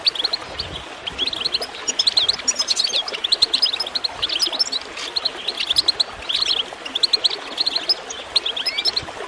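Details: Goldfinch chirping meant to get birds singing: bursts of bright, tinkling notes and quick trills in loose phrases, with a short upward-sweeping note near the end, set against softly gurgling water.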